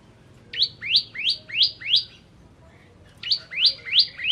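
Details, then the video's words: Bar-winged prinia (ciblek kristal) singing actively: two bursts of sharp, upward-sweeping chirps, five then four notes, about three per second, with a short pause between the bursts. "Ciblek Kristal Gacor Masteran Burung Biar Gacor"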